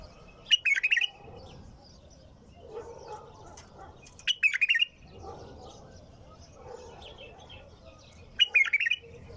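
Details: A bulbul repeats a short, cheerful bubbling phrase three times, roughly every four seconds, as part of continuous singing. A low murmur and faint twittering sound in between.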